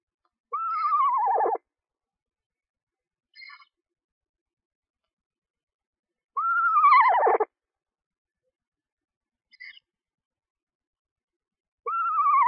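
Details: Nesting screech owl with two owlets hatched one to two days before, being fed in a nest box: three loud, tremulous whinnies that slide downward, spaced roughly five seconds apart, with faint short chirps between them.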